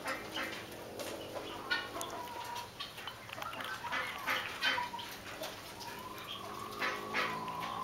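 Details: Lady Amherst's pheasant hens give soft, scattered clucking calls in irregular bursts, some short low-pitched notes among faint clicks, over steady background hiss.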